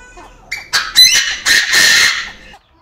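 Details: Chinese francolin, a male, crowing inside an aviary, with a female also present. Two strident, rasping notes rise sharply, followed by a longer hoarse, ringing note lasting about a second, then silence.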